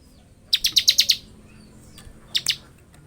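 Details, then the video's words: Bar-winged prinia singing ngebren style: a run of six rapid sharp high chips, followed after a pause by a brief pair of similar notes. "Suara burung ciblek gacor full Ngebren"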